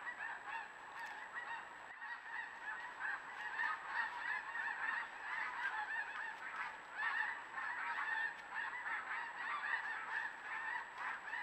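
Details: Flock of geese by a river, caught on trail camera, giving a constant clamour of overlapping nasal honks at roughly one a second, with a thin steady high tone in the background.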